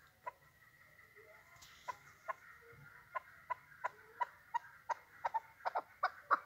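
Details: Chukar partridge giving a faint run of short clucking notes that start widely spaced and speed up into a quicker, louder sequence toward the end.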